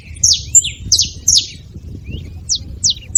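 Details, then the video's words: Saffron finch at a feeder giving a few scattered, piercing descending chirps, a quick cluster at the start, a quiet gap, then more isolated notes near the end, above a low murmur of background noise. "Canário da terra fazendo barulho na seva"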